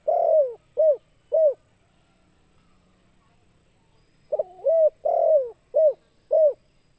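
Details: Spotted dove call meant to lure other birds: low, mellow cooing phrases, each a rolling double coo, a long drawn coo and two short clipped coos, given twice with a quiet gap of about three seconds between them.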